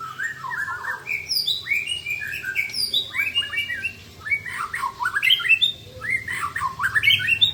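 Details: Several white-rumped shamas show off mimicked song content in turn, producing dense bursts of varied whistles, chirps and rising and falling slurs that grow louder toward the end.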